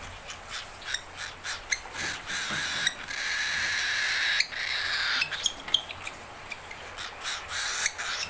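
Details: A young, hungry cockatiel gives harsh, raspy begging screeches, repeated rapidly, with one long grating cry midway.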